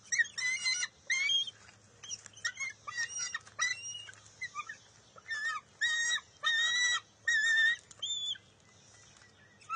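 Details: Bald eagle eaglet contesting a fish with its mother at the nest in June 2021. Broken, stuttering squeals and chatters alternate with fuller whining cries in an irregular sequence, some quieter notes between.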